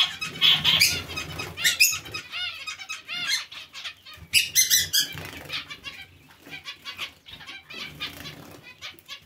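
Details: Nasal beeps and squeaky notes from a colony of zebra finches sharing space with Bengalese finches, some calls overlapping in quick clusters, then quieter scattered chirps and faint wingbeats.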